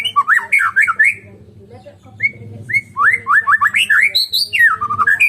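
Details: Medan-type White-rumped shama singing alone: a rapid run of varied, looping whistled notes, a brief pause near two seconds, then more fluting, rising and falling phrases with sharp high accents over a faint low hum.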